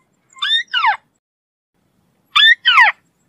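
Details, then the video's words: White-browed crake, called Matang Bayani or Tikling Kabayo in the Philippines, uttering two paired calls, each a rising squeal followed by a harsh descending note, about two seconds apart in silence. "White browed crake Call / Matang Bayani/ Tikling Kabayo"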